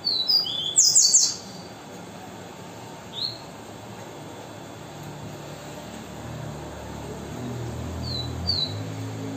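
A seedeater gives a quick burst of high, sharp whistled notes, then a few scattered thin chips over a low steady rumble.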